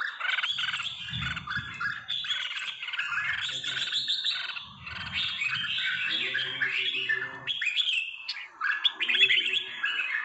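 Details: A red-whiskered bulbul from Trà My, three seasons old, pours out bright, bubbly, nearly continuous warbled phrases with a few lower, buzzier notes in the middle; red-whiskered bulbul song.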